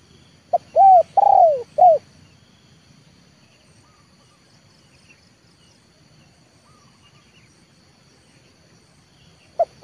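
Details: A trained spotted dove used to lure wild doves delivers one clear cooing phrase of short, long, longer falling and short notes, then stays quiet amid a soft rustling background before a new note begins.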